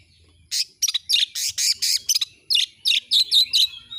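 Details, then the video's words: Oriental magpie-robin singing steadily: loud, bright bursts of harsh chattering notes and clear whistled slurs follow each other in quick succession after a brief silence. "Masteran burung Kacer AUDIO JERNIH BUAT ANGKAT EMOSI AGAR CEPAT ON NGOBRA,Kacer gacor"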